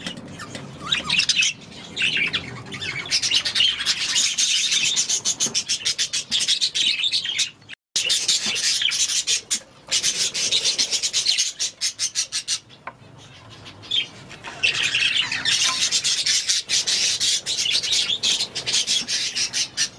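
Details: A group of budgerigars playing and singing in their aviary keeps up a busy, high chattering warble broken by sharp clicks and squeaks.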